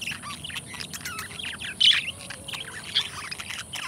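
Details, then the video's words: Pet budgerigars, two companion birds, chattering softly: scattered short chirps and warbled notes mostly high-pitched, with two brief louder squeaks near the second and third seconds over a faint steady hum. "Budgie Sounds: Birds Singing You to Sleep"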